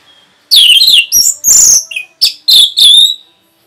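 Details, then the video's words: Orange-headed thrush in rapid, provoking song: six loud, high phrases in about three seconds, mixing descending whistles, harsh buzzy notes and a short lower note. "SUARA RAPET ANIS MERAH BIKIN EMOSI BURUNG"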